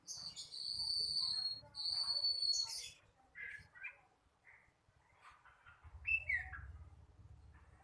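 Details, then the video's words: Young flycatcher still learning its song, opening with two sustained high ringing whistles, then scattered softer chirps and a rising-falling slurred note, over a faint low background rumble. "Sikatan londo masih belajar bunyi"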